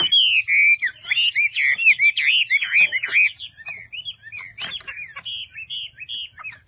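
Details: Caged Chinese hwamei singing a rich, fast run of loud whistled notes that swoop and warble, rapidly varied phrases with a few sharp chips, softer toward the end; faint low hum beneath.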